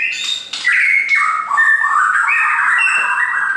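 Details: A caged shama sings a short passage of sustained clear whistles stepping up and down in pitch, joined by sharp upper overtones, loud and clean.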